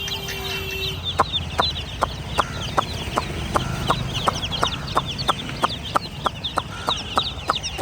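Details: Domestic chicken chicks peeping together, a continuous mass of high, short downslurred chirps, while sharp clicking taps repeat roughly every half second over a low background hum.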